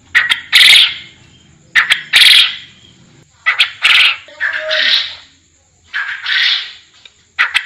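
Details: Forest quail calling with rough, broadband bursts, early ones sharp and stuttering, later ones softer and more drawn out, spaced about a second apart, with a faint low rumble at the start.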